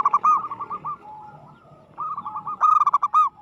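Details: Zebra dove of local stock, singing aggressively: quick curved coos, a soft drawn-out note, then a loud, bright flurry of rapid rolling coos.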